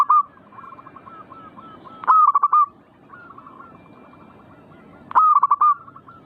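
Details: Zebra dove song used to coax other doves to sing: repeated phrases of quick, pulsing coos about every three seconds, louder bursts alternating with quieter answering coo series.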